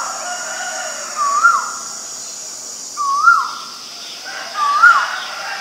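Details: Male Asian koel calling: three clear whistled notes, each swooping up then sliding down, spaced roughly every 1.7 seconds, over a steady high background hiss.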